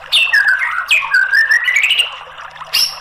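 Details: White-rumped shama song used as a lure to make a silent bird start singing: loud whistled phrases sweeping down then climbing in a long rising glide, ending with a sharp high note.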